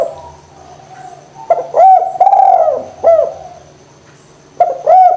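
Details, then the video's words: Cooing spotted dove, played to encourage idle doves to call. It gives a phrase of short notes followed by one long, low, rounded coo and a clipped ending note, then starts the pattern again after a pause. "DERKUKU GACOR PANCINGAN JITU ATASI DERKUKU MALES BUNYI"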